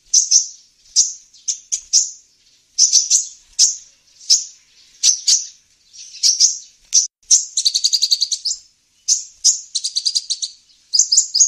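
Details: Lure recording of an olive-backed sunbird, used to attract wild birds. Sharp, high tsip notes come in spaced bursts, with fast buzzy rattles near the end. No other sounds.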